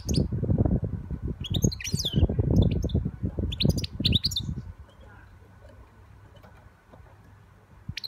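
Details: A young European goldfinch sings a quick run of high, scratchy twitters and chirps over about three seconds, heavy low rumbling and knocking underneath, then a quieter stretch with little sound.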